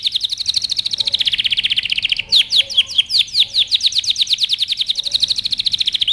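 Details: Canary training song: a fast rolling trill shifts into louder sweeping whistled notes, then returns to a rapid even trill.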